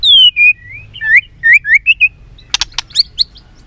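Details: Caged white-rumped shama in Vietnam in fighting song: a descending clear whistle followed by a string of short slurred whistles, then sharp clicking snaps and high chirps.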